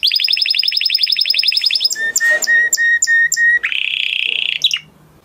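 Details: Song of a male canary: a quick rolling trill of short notes, then several sustained pure whistles separated by brief clicks, ending in a harsh buzzy burst.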